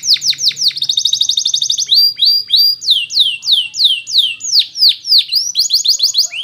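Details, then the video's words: Belgian canary training song: rapid high chattering trill giving way to a fast run of sweeping downward whistles, then a string of loud, evenly spaced falling notes and a quicker repeated burst at the end. "The Belgie Canary's Seduction for the Canaries to Stop Sounding"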